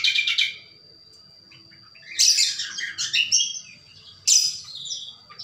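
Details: Cucak kombo (greater green leafbird) in full gacor song, giving loud bursts of tangled, buzzy, high-pitched warbling broken by short quiet gaps, with a thin sustained whistle running beneath the phrases.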